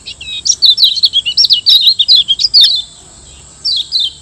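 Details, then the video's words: Kecial kuning, the Lombok yellow white-eye, master song for caged-bird training: a continuous warbling run of quick high notes for over two seconds, a pause, then a brief falling chirp pair. "Masteran Kecial Kuning Auto RESPON CEPAT‼️Gacor PERMANEN‼️"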